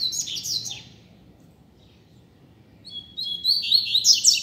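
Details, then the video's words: Free double-collared seedeater singing in a street, used as a teacher bird: a short high twittering burst, a long quiet gap, then a bright run of fast whistled and chattering notes. "COLEIRO SOLTO NEM SABE PRA ONDE VAI!!! Dando Show na Rua!!! - Coleiro Professor Aprendizado"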